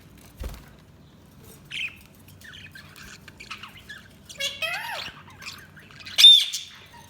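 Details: Budgerigars giving sparse chirps and warbles: a few short squeaks, a descending slurred chatter near the middle, and one sharp loud chirp toward the end, over a quiet low hum.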